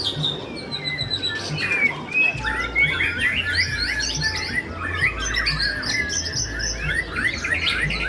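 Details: Caged white-rumped shama (murai batu) singing at a bird singing contest: varied loud whistled phrases with quick rising and falling sweeps and rapid twittering runs, other contest birds faintly overlapping, a steady low hum throughout.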